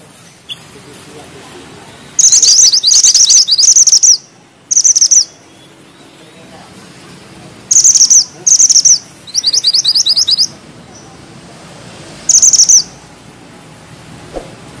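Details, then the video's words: Mountain bushchat in full song, described as rolling tightly and firing sharp notes: bursts of high, rapid, buzzy trilled phrases, each about half a second long, given in clusters separated by short pauses, over a quiet background. "Mantenan gunung gacor ngeroll rapat,nembak tajam!!"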